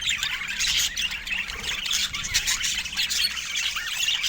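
Budgerigars chatter steadily, a dense overlapping warble of high scratchy squeaks and chirps with no pauses, as from several birds at once.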